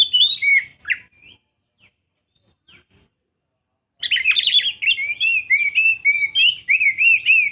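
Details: Young oriental magpie-robin singing: a burst of high, varied whistles and chirps, a near-silent gap with a few faint notes, then a dense, rapid stream of sharp, sliding whistled phrases.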